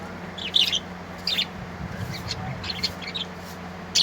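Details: Colourful birds singing: short bursts of high scratchy chirps roughly every half second to a second, some doubled, over a low background hum and faint rumbling.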